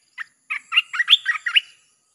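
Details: Red-whiskered bulbul song used as a lure for wild birds, a single brisk phrase of about eight bright, bubbly whistled notes rising and falling, delivered in under two seconds with no other sounds.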